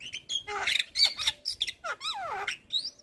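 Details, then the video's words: Javan myna of the white-eyed form, recorded as lure song to prompt reluctant mynas to sing: a busy jumble of harsh squeaky bursts, bright whistles and fast downward-sweeping slurred notes, packed closely over three seconds. "Pancingan Suara Jalak Kebo Mata Putih"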